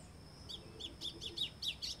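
White-throated seedeater song: a quick run of high, slurred chirps, roughly four a second, each note bending down and up, over a faint background hiss.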